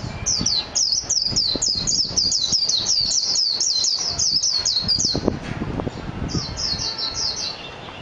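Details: Japanese white-eye (mejiro) in a long, fast, high-pitched twittering series of roughly twenty downslurred chirps over five seconds, a short break, then a second burst of about six chirps.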